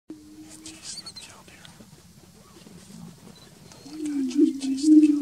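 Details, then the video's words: Greater prairie-chicken at the Bledsoe Ranch lek: a low, steady hooting tone opens the recording, then quiet faint chatter follows before louder, wavering low hoots swell toward the end. "Greater Prairie-Chicken at Bledsoe Ranch Lek"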